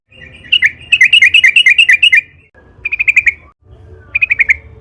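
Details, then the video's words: Yellow-vented Bulbul (trucukan) in excited full song, used as a lure to make others sing: a long bubbly chattering run, then two shorter quick trills after pauses, over a soft low hum. "burung trucukan gacor FULL NARUNG buat PANCINGAN TRUCUKAN AGAR BUNYI"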